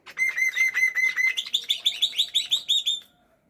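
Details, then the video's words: A kept black-winged myna sings energetically on a morning: rapid pulsed whistles on one level pitch rise into a loud, quick chain of bright, ringing notes about four per second, fading out at the end. "BURUNG JAPUT KU GACOR BANGET"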